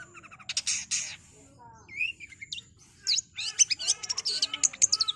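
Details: Long-tailed shrike giving a busy mixed song: buzzy bursts, a short slurred whistle, then a fast run of sharp high chirps crowding together.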